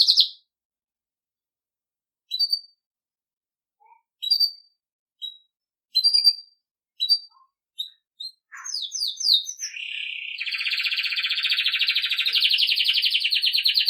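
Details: Belgian canary song played for training young birds: scattered short chirps with gaps, then quick descending sweeps building into a long continuous rolling trill.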